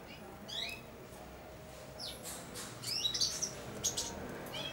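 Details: Four-month-old European goldfinch in a cage practising subsong while taking food from a hand. Brief high sweeping chirps, then a busier cluster of sharp tinkling notes with a faint hum behind.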